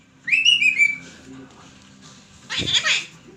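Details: Rose-ringed parakeet (ringneck), a talking pet, gives a high, slightly rising, word-like whistled phrase, then a harsh, raspy screech about two seconds later.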